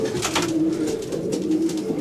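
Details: Racing pigeons coo low and throatily in their loft in Wejherowo, Poland, on 10 June 2012, just back from a 570 km race in very good condition; a male is courting a female.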